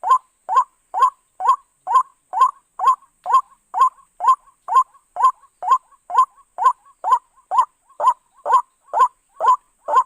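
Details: White-breasted waterhen call used as a lure for bird trapping: harsh, croaking notes repeated steadily about twice per second, around twenty in a row, with a faint steady high hiss behind.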